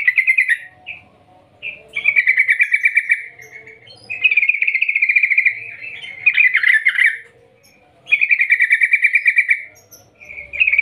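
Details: Yellow-vented bulbul (trucukan) giving a long 'gacor' call in the ngerol ngetir style, used as a lure to get other trucukan singing; loud buzzy chattering bursts of rapid repeated notes, several phrases separated by short pauses, quiet indoor background.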